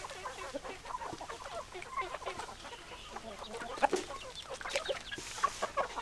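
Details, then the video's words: Hens clucking in a flock: a busy overlapping stream of short, throaty clucks and brief squawks from several birds, with a few louder sharp notes standing out. "Chicken Sounds Noises Hens Clucking Roosters Crowing"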